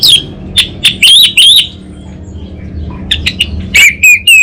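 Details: Anis Bata orange-headed thrush in full song: clusters of loud, bright whistled notes with quavering tops, a quiet gap midway, then further crisp repeated whistles.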